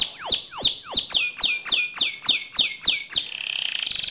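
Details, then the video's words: Canary song meant to trigger another canary into singing, in the 'ngerol nembak' manner: about ten evenly spaced, loud down-slurred whistles, then a soft, fast rolling trill. "Pancing Emosi Kenari Anda Agar Cepat Ngerol Nembak Seperti Kicau Kenari Ini"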